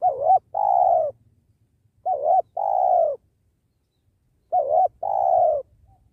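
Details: Spotted dove (tekukur) of the penguku type, used during trapping beside a sacred tree. It gives three coos, each a short wavering note followed by a longer falling purr, spaced about two seconds apart, with a faint low rumble underneath.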